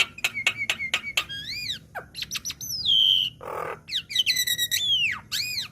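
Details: Varied song of a young black-winged myna in a training recording: crisp ticking notes, arched whistles, one long clear whistle, a short grating burst and looping upslurred phrases, over a quiet low hum.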